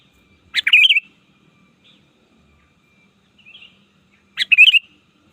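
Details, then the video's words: Sooty-headed bulbul song meant to lure opponents in the wild: two loud, bubbling, wavering whistled phrases about four seconds apart, the second matching the first, with a faint softer note between them and otherwise quiet background. "Suara burung kutilang ajaran, belajar memanggil lawan di alam liar!!!"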